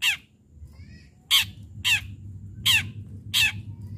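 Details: Vigorous fighting-style singing of a long-tailed shrike, played to get other shrikes singing: one harsh scratchy burst, then four loud raspy squawks at roughly even intervals with a soft low rumble beneath.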